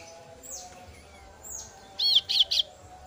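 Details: Young female kasu-kasu bird calling its parent, soft down-slurred whistles first, then three loud, shrill chirps in quick succession near the end.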